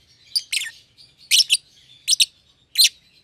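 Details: Young caged pair of lovebirds, a euwing green opaline and a red-eyed albino, kept in a single-pair cage after feeding each other; sharp buzzy high chirps in paired bursts, about every half second to second, with faint thin whistled tones between.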